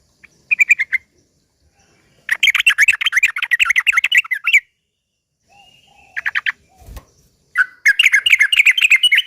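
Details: Sooty-headed bulbul in a slow rapid-fire style called ropel pelan, played as a lure to provoke other bulbuls into singing. Three fast chattering bursts of bright, warbling notes with quiet pauses between them, and a brief low thump near the end.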